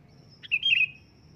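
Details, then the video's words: Loud sooty-headed bulbul call: a quick pip followed by a smooth, liquid, slightly wavering whistled phrase, over a faint continuous high tone. "suara keras burung kutilang memanggil di jamin langsung nyaut"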